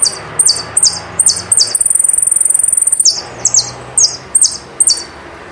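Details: Saffron finch singing loud, high, downward-slurred notes repeated about twice a second, broken by a long, even, rapid high trill lasting over a second, then returning to the slurred notes.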